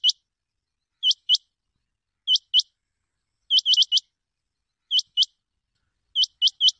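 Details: Rain quail sound used for hunting: sharp, high metallic notes in quick pairs and triplets, about every one to one and a half seconds, against complete silence.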